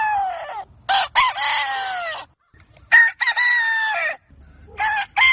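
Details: Dawn crowing from roosters: long harsh harmonic crows with a falling tail, a pause, then another full crow and the start of a third.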